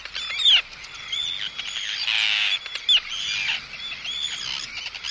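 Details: Arctic terns giving close anxiety and threat calls at an intruder: harsh, grating high screeches with sharp bursts near the start and again around the middle, over a steady wash of overlapping calls.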